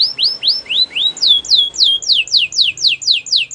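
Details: Song of a Belgian canary: rising slurred whistles give way to a steady string of bright, falling, sweeping notes, about four each second, with a faint low hum beneath.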